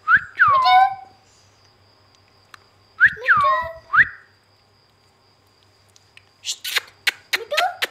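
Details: Pet rose-ringed parakeet, a ringneck, making loud descending and rising whistled notes with harmonic-rich squeaks in two bursts, followed by short chattering clicks and a lower rising whistle.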